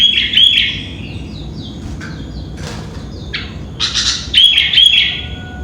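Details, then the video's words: Sooty-headed bulbul singing loudly in the early morning, around 5 a.m.; whistled notes open the passage, followed by harsh buzzy bursts and another pair of whistled phrases, over a steady low hum. "Burung Kutilang atau Burung Gentilang Berbunyi dan Bernyanyi di Pagi Hari"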